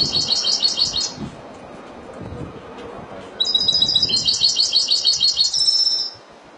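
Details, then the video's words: Spanish goldfinch in Málaga-style song, two bursts of rapid, high, tinkling twitter. The first phrase ends after about a second, then a longer, rhythmic trilling phrase follows with pulsed repeated notes and a sustained thin whistle, over a soft background hiss. "تغريد الحسون الاسباني ( مالاقا)"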